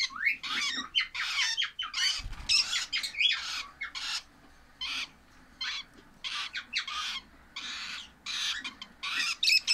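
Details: Lovebird chicks calling in quick series of scratchy, harsh notes, some with rising slurs, in clusters broken by quieter spells and a light knock.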